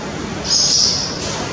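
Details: Young barn swallows of a second brood in the nest give a thin, hissing, high-pitched begging chorus that swells for about half a second, over a faint background hum.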